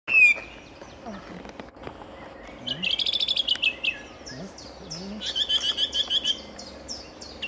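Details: A song thrush at Bärenwald Müritz in Germany sings bright, high phrases built from rapid runs of repeated notes, with pauses between phrases and faint low sounds in the background.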